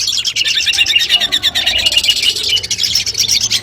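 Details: Long-tailed shrike training song heard before a competition as a mental test: dense high twitters and rapid chips pour out steadily, with a few clearer whistled notes toward the end.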